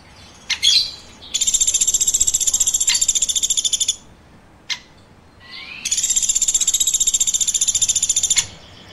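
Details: Woodpecker giving two long, shrill pulsed trills of about two and a half seconds each, rapid and buzzy, separated by short clicks and a brief rising note.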